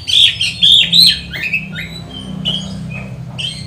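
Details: Oriental magpie-robin song meant to provoke and train magpie-robins; three loud high whistled notes open, followed by quieter scattered chips and slurs, with a low background hum.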